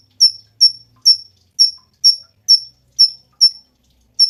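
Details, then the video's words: Cungkok delivering a long even series of short piercing whistled notes, each rising then fading, spaced about half a second apart over a quiet background. "SUARA BURUNG CUNGKOK"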